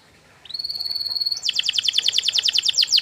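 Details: Canary singing a master song to make other canaries respond. One sustained flat whistle, then a fast, evenly pulsed trill of bright notes.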